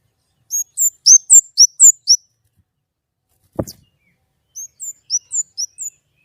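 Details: White-rumped shama shooting out a clear-voiced run of about eight evenly spaced, high curling whistles. A single sharp knock follows, then a softer run of similar notes.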